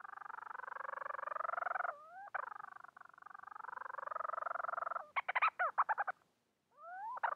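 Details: Bermuda petrel mate call: long bouts of fast buzzy pulsing, an upward-gliding note, a burst of loud staccato arched notes, silence, and a final rising slurred note.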